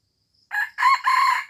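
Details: Red junglefowl from Aceh, a recording used to lure birds: a loud rooster crow of three parts, a short opening note and then two longer, harmonic, slightly rising syllables, over a quiet background.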